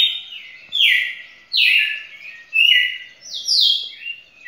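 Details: A champion red-cowled cardinal in a record song bout lasting over two minutes sings loud, clear whistled phrases, each slurring downward, about once a second with a few higher notes mixed in; the background is quiet.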